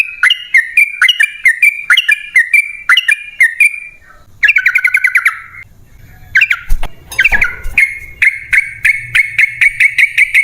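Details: Yellow-vented bulbul singing in a long chattering style, played to make caged birds sing: paired falling chirps in quick succession, a fast buzzy trill, a pause with low rumble, then an even string of sharp notes.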